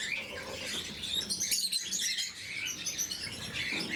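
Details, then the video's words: Lovebirds of a blue mutation at their morning feeding, many high, thin chirps and squeaks tumbling over one another in a constant busy chatter. "Попуги неразлучники, утреннее кормление"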